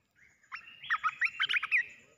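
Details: Caged red-whiskered bulbul used as a decoy for bird trapping, dancing and refusing to come down, with its cage set on the ground; a quick run of about seven rich, chirpy whistled phrases, bright and warbling.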